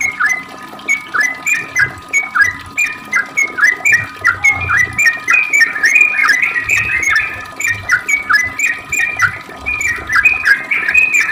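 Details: Sooty-headed bulbul delivering an extended ropel, meant to provoke replying song: rapid whistled notes tumbling up and down, growing denser and slightly higher toward the middle, over a faint steady hum.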